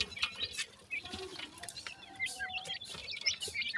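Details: Several young grey francolins (sindhi teetar) peeping: thin, high, upslurred chirps scattered irregularly and overlapping, with occasional soft rustles and faint low murmuring beneath.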